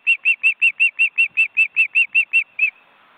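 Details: At a wild osprey nest in Estonia holding two adults and large chicks, a steady string of about fifteen evenly spaced whistled notes, roughly five per second, ending abruptly.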